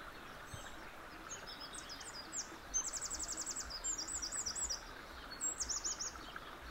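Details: Eurasian wren song: quick high-pitched twittering notes build into loud, fast buzzy trills and rattling runs, with a final short trill near the end, against constant faint environmental noise.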